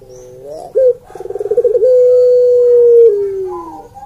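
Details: One full coo from a Barbary dove, or puter pelung: faint lead-in notes, a sharp upslur, a bubbling trill, then a long even tone of over a second that slides down at its close.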